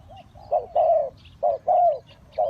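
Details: Spotted dove used to attract wild birds for trapping, repeating paired coos, a short note then a longer sustained croo, about every second; quiet background.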